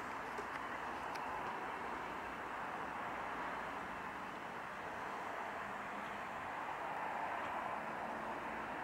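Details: Even broadband roar like distant traffic or an aircraft, unbroken throughout and without any bird calls.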